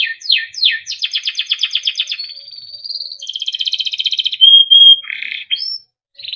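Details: A small yellow Timbrado canary sings a melodic training song: quick downslurs lead into a steady rolling trill, a smooth whistle, another trill, and clear piercing whistled notes.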